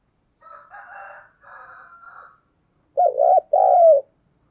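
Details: Decoy spotted dove, 2022 recording used to excite other birds: soft, buzzy murmuring notes lead into two loud, deep, rounded coos, the second longer and falling slightly at its end.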